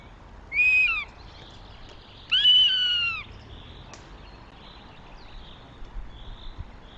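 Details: At a goshawk nest in Tartu, Estonia, on 2 June 2025, a northern goshawk utters two clear, drawn-out descending wails about two seconds apart, followed by quieter background hiss.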